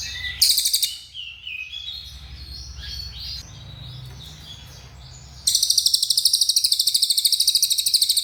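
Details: A cililin sings a sharp opening burst and a string of varied high chirps and slurred whistles, then breaks into the long rapid "nembak" trill of fast, shrill pulsed notes.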